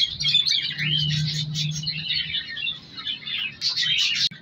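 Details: Captive colony of color lovebirds, African lovebirds bred for mutations, twitters steadily with short up-slurred whistles, then a louder burst of chirping near the end, over a low hum.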